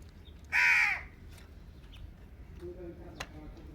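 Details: Indian ringneck parakeet, a pet bird, giving one loud, harsh, grating screech lasting about half a second, followed by faint background clicks and a soft low hum.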